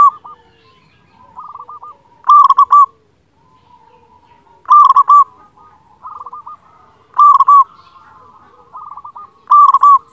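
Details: Local zebra dove, known as perkutut, singing loudly as a tutor recording for birds that rarely sing: loud cooing phrases of several quick notes, repeated about every two and a half seconds, with softer, lower coos trailing between them.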